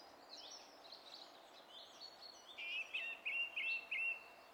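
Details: Song thrush singing, recorded 27 April: soft high twittering first, then a loud clear whistled note repeated five times in steady rhythm.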